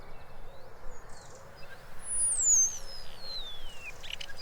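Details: Common Starling song, the second of three garden-bird quiz songs, known for sliding whistles and electrical crackles: a thin, very high whistle that slides steeply downward over about two seconds, with faint soft hiss and scattered murmurs behind.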